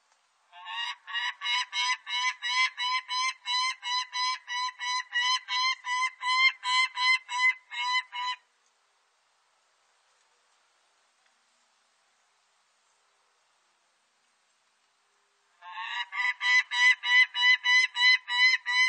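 A peregrine falcon gives a long run of harsh, rasping cackles, about three notes each second.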